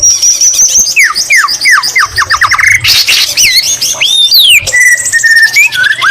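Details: Energetic white-rumped shama song with green leafbird imitation: a run of sharply falling whistled notes repeated rapidly, then a harsh burst, looping whistles and a steady held whistle.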